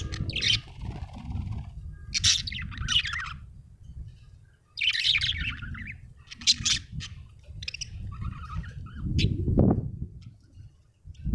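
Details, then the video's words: Happy budgerigar chirping, a pet bird giving scattered bursts of high, scratchy warbled chirps with brief gaps between them, over constant low background rumble. "Happy budgie chirping sound"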